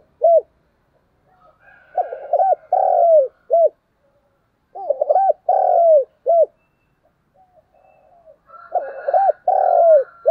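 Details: Spotted dove fighting coos, three phrases of stuttered low notes, a long hoarse coo, and a short clipped note. A fainter second dove answers in the background.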